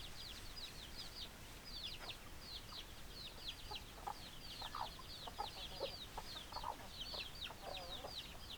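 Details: Chicken flock: rapid, overlapping high peeps slide downward in clusters, with scattered low clucks and a few rough calls underneath.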